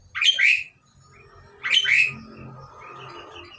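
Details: Two harsh, grating squawks from a pair of caged Asian pied starlings, about a second apart, followed by a soft low hum.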